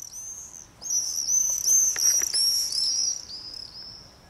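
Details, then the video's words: Screaming party of common swifts in a village street in Beek Ubbergen, the Netherlands, 22 July 2012, with two nesting pairs joined by other birds: overlapping piercing, buzzy high screams running almost continuously, with a few faint clicks. "Common Swift activity compilation video"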